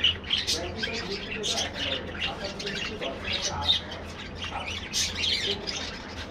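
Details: Many budgerigars in a colony aviary squawk and twitter together, harsh short notes mixed with thin whistles, steady low background hum throughout.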